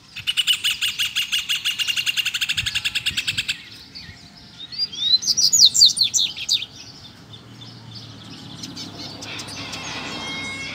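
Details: Double-collared seedeater challenging rivals, wild birds close to a caged one; a loud buzzing pulsed drone fills the opening seconds, then a two-second run of high, sharp chirps and whistles follows.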